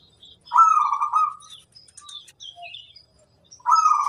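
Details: ['Zebra dove, a local bird, in a recording meant to coax other doves into singing: two loud, rolling trilled coo phrases about three seconds apart, with faint high chirps from other birds in between.']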